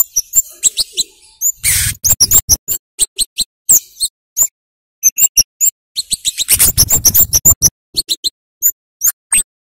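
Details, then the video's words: A flowerpecker sings loudly, meant as a lure so young birds begin singing; dense series of piercing high chip notes, with two stretches of broadband rustling. "Burung CABEAN / KEMADE Gacor NGEPLONG | PANCINGAN Cit KERES Bakalan Supaya Gak Bisu"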